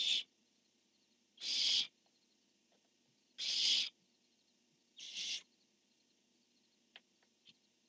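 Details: Barn owl male and female exchanging calls, dated 10-1-15: four hoarse hissing screeches roughly two seconds apart, the last one shorter and weaker, followed by a few faint clicks.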